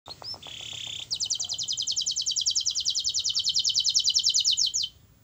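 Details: Canary song played to coax a reluctant, quiet canary into singing: a brief steady whistle, then a long fast rattling trill of even high notes lasting nearly four seconds before stopping abruptly.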